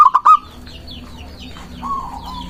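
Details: Local zebra dove song used to lure doves and provoke rivals to answer. It opens with three loud staccato coo notes, then a fainter drawn-out coo follows. Small birds chirp faintly high above.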